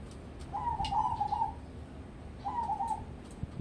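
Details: Crossbred zebra dove kept as a singing-contest prospect: a long bubbling coo phrase of rapid clipped notes, a pause of about a second, then a shorter repeat phrase, against a soft low-pitched background hum.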